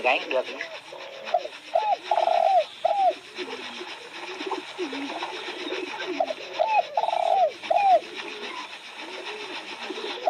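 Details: A spotted dove sings two well-spaced coo phrases about five seconds apart. Each phrase is a pair of clipped hoots, a long smooth coo and a final short note. Faint background chatter of small birds.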